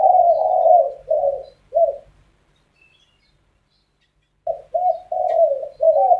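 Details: Spotted doves arguing in the morning; deep, hoarse cooing phrases, several notes grouped together, then a pause of about two seconds before the phrases resume, in an otherwise quiet setting.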